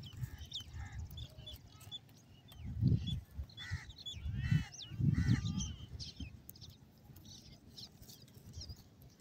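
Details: A group of ring-necked pheasant chicks gives thin peeps and a few harsher, buzzier chirps in quick, uneven succession. Bursts of heavy low-pitched rustling and thumping run underneath.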